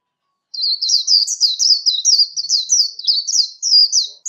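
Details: A Warbling white-eye in competition-style song, recorded without background noise, sings a long, rapid, high-pitched warble of tumbling twittered notes, unbroken for nearly four seconds.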